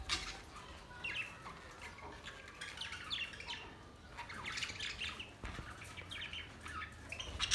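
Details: Budgerigars on May 29, 2023, keeping up continuous soft, high chattering and chirping, many overlapping short notes and warbles at a steady low level throughout.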